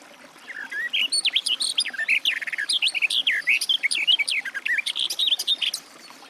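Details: A garden warbler pours out one continuous, hurried warble of mellow, slurred and twittering notes that run without a break for about five seconds.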